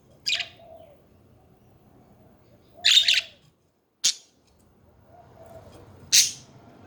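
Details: Domestic budgerigars calling with scattered short, scratchy chirps and buzzy bursts every one to three seconds, a low hum underneath.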